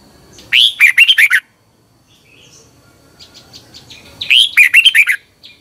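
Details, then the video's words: Caged-bird training song of a Thai Red-whiskered bulbul, played for half an hour each morning: two lively warbled phrases of rapid chirpy notes, with faint soft chirps in the gap between them. "นกกรงหัวจุก, 30 นาทีทุกเช้า เพื่อให้นกเรียนรู้ที่จะพูดได้อย่างรวดเร็วและหนักแน่น"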